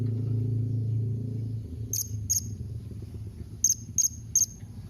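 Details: Blue-crowned hanging parrot calling to prompt other birds to reply: sharp, very high, clipped notes in a pair, then a group of three, following a low rumbling hum at the start.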